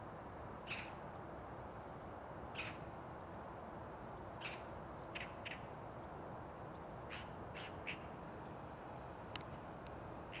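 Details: Eurasian magpie recorded 7 December 2022 giving short, harsh, rasping calls, singly or in quick pairs, every one to two seconds over a steady low rumble of traffic or wind.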